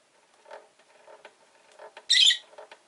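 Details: Pet rosy-faced lovebird, orange-faced and green-bodied, caged by a window with five birds: low murmuring background noise, then one sharp harsh chirp burst near the end, followed by soft ticks.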